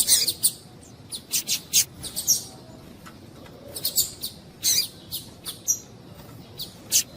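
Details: Female double-collared seedeater of the piadeira type calling to warm up and stimulate a male coleiro: short, very high chirps and sharp bright notes, scattered irregularly and sometimes in quick pairs, over a faint low hiss.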